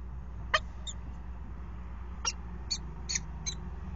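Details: Peregrine falcons at a water tower in Axel, 5 February 2018, one in the nest box and a pair mating on the ledge; a few sharp, thin, high chips spaced irregularly over a steady low mechanical hum.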